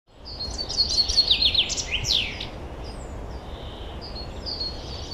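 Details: Wild forest birds singing in spring, 2023: a burst of high, fast trills and down-slurred chirps for about two seconds, then quieter distant twitters over a steady background hiss.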